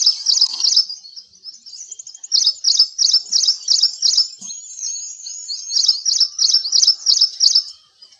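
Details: An Ashy Prinia in India gives a fast run of high, sharp, scratchy notes, about three a second, with a thin whistled note slipped in partway through.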